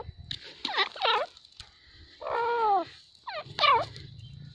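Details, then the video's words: Grey francolin calling in loud, harmonic, rising and falling notes, grouped in pairs with a longer drawn note between them. Low background rumble. "Silver Teetar Call | Teetar Awaaz"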